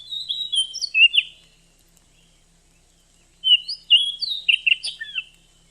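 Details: Female oriental magpie-robin calling to prompt a male to sing and raise his breeding drive; two short bursts of bright, slurred whistles and chirps separated by about two seconds of silence, fairly soft.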